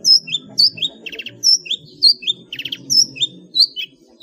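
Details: Long-tailed shrike in loud full-fill ngeplong song for training cage birds: repeated high slurred whistles alternate with short rattling bursts, over a faint low hum.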